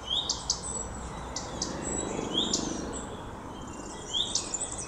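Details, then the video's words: Common redstart (Phoenicurus phoenicurus) giving short upward-sliding whistles roughly every two seconds, three in all, over soft background noise and scattered high chirps from other birds. "Gartenrotschwanz rufend"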